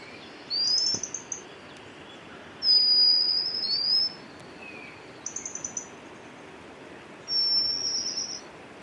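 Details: White-capped Redstart at Chakki Waterfalls giving thin, high, drawn-out whistles, some rising and others slurred, in four spaced bursts over a steady hiss of rushing water.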